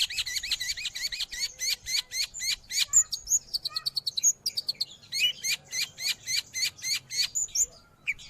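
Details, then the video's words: Long-tailed shrike song offered for training pet birds or luring wild ones: fast runs of sharp, high chattering notes in tight repeated bursts, with a few thin whistles mixed in midway. "Suara burung Cendet / pentet"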